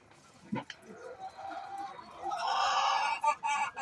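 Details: Chicken making noise before laying eggs: soft low notes give way to a rising, loud, harsh drawn-out squawk in the second half, broken by a few short sharp clicks.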